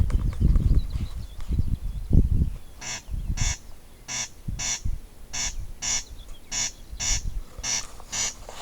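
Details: Corncrake giving its dry, rasping paired calls about twice a second after a few seconds of low rumbling noise at the start.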